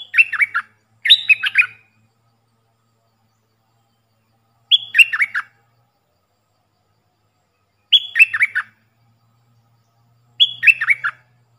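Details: Decoy call of a puff-throated bulbul, played to train young birds: loud clusters of quick, descending warbled notes, delivered in bursts separated by pauses of two to three seconds, with almost no background noise.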